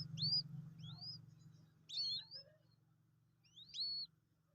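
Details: Common Moorhen chick two days old, hand-reared and learning to take feed, gives thin upward-sliding whistled peeps, some doubled, at uneven intervals over a faint low hum.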